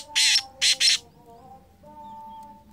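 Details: Black francolin calling with three harsh, rasping bursts, the second and third close together, followed by a steady low tonal hum in the background.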